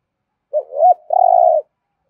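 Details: Rolling thổ rền voice of a spotted dove's thúc gù coo: a short hoot, a swelling rising note, a brief pause, then a long vibrating purr held for about half a second before stopping abruptly.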